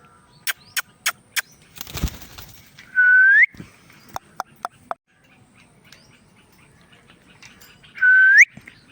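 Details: Indian ringneck parrot making sounds: a series of sharp clicks, a noisy rustle, then a loud rising whistle, more clicks, and the same upward whistle repeated near the end.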